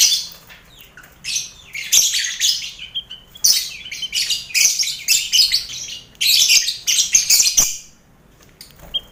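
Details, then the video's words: Colony of caged lovebirds housed together with finches and quail, a noisy aviary used to build contest birds' nerve; bursts of piercing, high chirps in overlapping clusters, broken by short quiet spells, ending in near silence. "Sound Koloni Lovebird"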